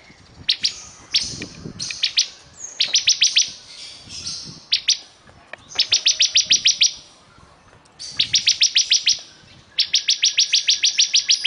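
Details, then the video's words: Ciblek kristal, the bar-winged prinia, in full vigorous song: bursts of rapid, sharp, high chirps, about three or four per second, in trains of up to ten notes with short pauses between bursts. "Suara Burung Ciblek Kristal super gacor"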